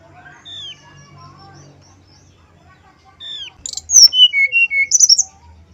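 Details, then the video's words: Male brown-chested jungle flycatcher song in a flute-like style. Near-silence gives way to a single downslurred whistle, then a burst of short, clear whistled notes at varied pitches. "SUARA SRDC JANTAN KALIAN.!! PANCINGAN SRDC SIKATANRIMBADADACOKLAT, SUARA SRDC, SRDCNYULING"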